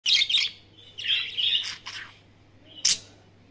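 A budgerigar chirps and warbles in bright, scratchy bursts, with a sharp squeak near the end.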